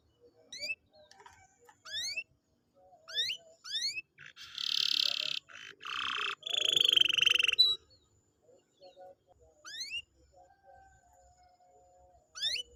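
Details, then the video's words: Canary song meant to stimulate a reluctant canary: scattered rising whistled notes with pauses, a loud harsh buzzy roll in the middle, then sparse sweeps again. "pancingan kenari malas bunyi/agar gacor lagi"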